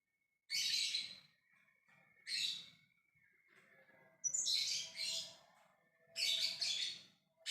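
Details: A lovebird gives ngekek calls meant to bring a response from others. Harsh grating bursts arrive singly and in pairs at irregular intervals, with a weak steady tone underneath.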